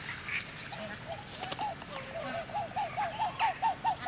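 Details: Upland goose of the subspecies leucoptera, a pair giving display calls close up: a quickening run of short, arched, nasal notes about two per second, building in loudness, over faint distant chatter of jackdaws and house sparrows.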